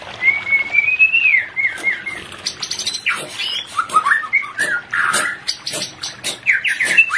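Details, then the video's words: White-rumped shama pair, therapy to raise breeding condition: a long rising whistle, then a dense, rapid jumble of whistles, harsh chatter and sharp clicks continuing throughout. "Terapi Cepat untuk menaikan pasangan murai Batu yg Tidak Birahi"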